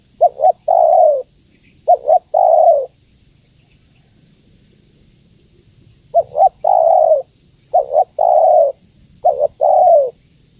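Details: Female spotted dove calling the male. Several phrases of two quick short coos followed by one longer, slurred, downward-sliding coo, with a gap of about three seconds after the first pair of phrases. Quiet, clean surroundings.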